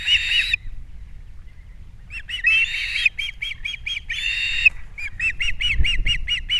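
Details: Osprey at a Captiva nest in early April as the male brings fish and the female feeds the young: harsh drawn-out squeals alternating with quick runs of sharp, evenly repeated high chirps.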